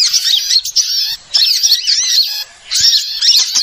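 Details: Shrill small-bird chatter from a trapping lure: three bursts of overlapping squeaky chirps and twitters, each roughly a second long, separated by short quiet gaps.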